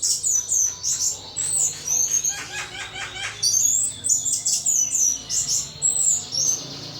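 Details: Thrush kept as a pet, anis, singing intensely in ngeplong style: continuous rapid high whistled and chirping notes, some harsher buzzy elements mid-phrase, with barely a pause throughout.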